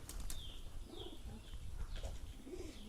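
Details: Pigeons cooing in low, rounded hums that rise and fall, with several soft coos spread through the clip; thin high chirps from other small birds and a low rumble of background noise.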